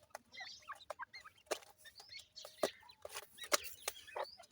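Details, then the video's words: Group of ring-necked pheasant chicks playing in soil: rapid little upslurred chirps overlapping one another, broken by loud sharp clicks and scuffing taps. "Ringneck Pheasant bird Chicks,teetar chicks kiawaz"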